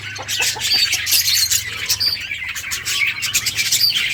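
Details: Budgies chirp and warble in a busy flock, quick high notes tumbling over each other, with a faint low hum underneath.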